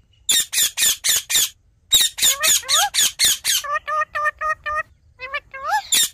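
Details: Rapid harsh squawks from a ringneck parrot, around four a second, broken by a pause, then more grating squawks giving way to a string of short, clean tonal notes and an upward-sliding call.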